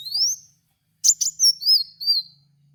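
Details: Kolibri wulung sunbird song meant to train cage birds: a rising thin whistle, a pause, then crisp ticks and a series of wavering high notes.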